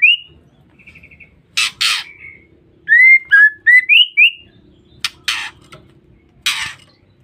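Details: Female white-rumped shama call used to lure or provoke males: a short whistled note and a buzzy trill, harsh rasping bursts, then a run of five upward-sweeping whistled chirps, followed by more harsh noise bursts.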